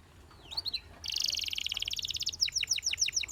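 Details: Canary singing and prompting the rest of the flock to chirp: a few soft slurred notes, then an abrupt loud buzzing trill, followed by a series of clear downward-swept notes about five per second.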